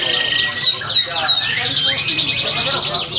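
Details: In a Pringsewu contest on 22 September 2019, a canary gives a few bright downward-sweeping whistles followed by a rapid trill of about three notes per second. A background bird chorus and low voices are also heard.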